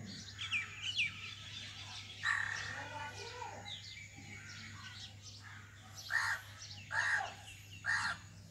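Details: Common myna (Acridotheres tristis), call.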